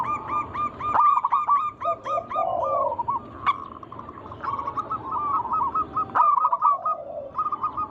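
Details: Zebra doves of a local wild strain, recorded to coax other doves into song. A quick run of ringing repeated notes gives way to bubbling cooing phrases and low, soft purrs from more than one bird.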